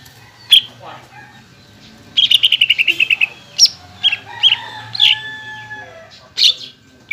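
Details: Greater green leafbird singing to provoke other leafbirds: a brief rapid trill of ringing notes amid scattered separate chirps, with a faint steady hum behind.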